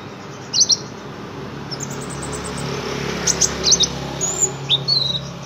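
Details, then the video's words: Sunbird singing actively, giving thin, very high chirps and short sliding twitters in scattered bursts, with brief pauses between phrases, over a faint steady low hum. "burung kolibri ngobra gacor"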